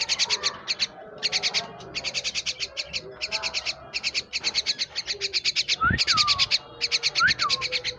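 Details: Myna kept as a pet chattering in dense bursts of rapid high chirps, nearly continuous, while a separate brief rising and falling whistle sounds twice near the end.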